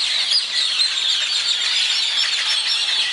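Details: Daybreak in Zapotitlan de Mendez, Puebla, with many birds singing at once. High, thickly layered twittering and quick chirps run together into a continuous bright wash, a few sharper notes standing out.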